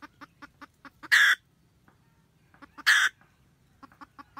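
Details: Wild red junglefowl hen at her nest, cackling to summon the rooster, 2020-2021. A quick string of short clucks builds into a loud, raspy squawk, then a pause, another squawk, and renewed clucking.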